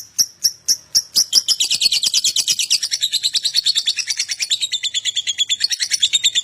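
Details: Lovebird ngekek song from a prompting recording meant to get other lovebirds singing quickly: a few separate sharp chirps accelerate into a continuous, fast, rattling chatter of high buzzy notes that dips slightly in pitch and keeps going.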